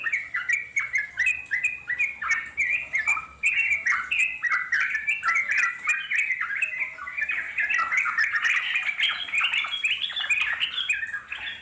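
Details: Wild trucuk bulbuls give a long, continuous chattering song, the kind played back to draw an answer from wild birds. Dense run of bubbly, warbling notes that rise and fall, with a brighter, higher stretch near the end.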